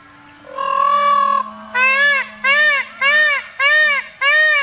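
A peafowl gives one long, loud, nasal wail, then five shorter arched honks about every half second. A faint low hum sits underneath.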